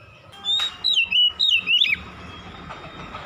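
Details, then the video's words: Oriental magpie-robin song at dusk: a handful of quick twisting whistles, high then dropping, followed by a stretch of broadband background noise. "KICAUAN BURUNG KACER DIKALA SENJA"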